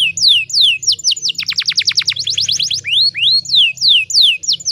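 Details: Song of a female canary in breeding condition, used to lure males: repeated falling whistled sweeps about three per second, a fast trill of steep downward notes, then more sweeps, over a faint low hum.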